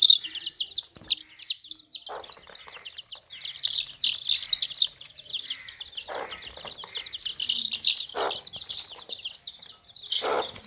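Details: Many baby chicks chirping in a tokri basket, their high downslurred peeps tumbling over one another at about three per second, broken by occasional low, harsh clucks from hens.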